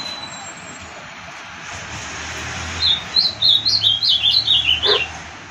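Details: A pet ultramarine grosbeak (azulão) in Olinda, Pernambuco, Brazil, sings a quick run of sweet, slurred whistled notes, rising and falling, lasting about two seconds over a faint steady hiss.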